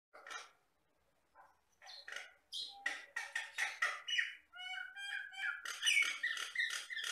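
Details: Jalak batam myna in loud, varied song: harsh chattering bursts and squawks build into rapid repeated notes, then a stretch of clear, banded whistled tones followed by dense scratchy phrases.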